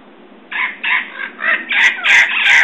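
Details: Red-crowned parrots in San Diego, California, on March 15, 2011 at 6:34 PM, giving loud harsh squawks repeated about every third of a second, growing raspier and more clamorous toward the end.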